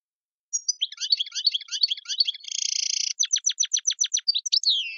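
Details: European goldfinch singing in the tiwawati style from the Tizi Ouzou region of Algeria: fast twittering phrases, a buzzy rasp, then a run of sharp repeated ticks ending in a falling slurred note; no other sounds.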